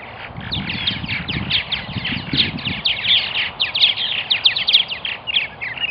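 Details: Dense chatter of purple martins at their nesting colony in Melbourne, Florida, with rapid strings of chirps and gurgling notes running almost without pause, plus low rumbling noise in the first half.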